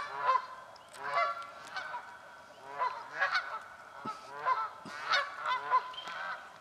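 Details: Swamp scene of Canada geese fighting for nesting spots; loud, strident honks in tight clusters throughout, many birds calling over one another, brief high notes above.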